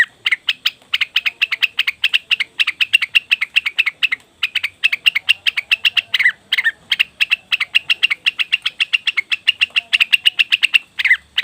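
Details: Leafbird used as a lure for wild birds: sustained rapid ticking chatter, fast sharp chips in long runs broken by brief gaps, with occasional lower harsh notes between runs.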